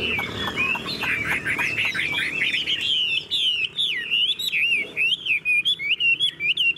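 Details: Tame caged Chinese hwamei singing nonstop: a rich run of loud whistled phrases, slurred notes and quick trills, turning into sharply repeated looping whistles in the second half.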